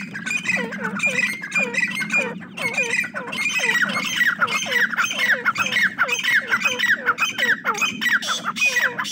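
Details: Dense, busy peeping from a brood of francolin chicks: many clear, high, down-slurred notes packed closely and overlapping throughout, with a low droning hum beneath.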